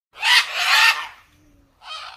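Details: Parrot giving a loud, harsh, raspy squawk lasting nearly a second, a brief pause, then a shorter, slightly softer rasping call.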